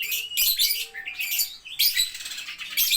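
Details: Lovebird pouring out continuous shrill, rapid chatter in ngetik style, dense high trills broken by very short pauses, with a faint low hum beneath.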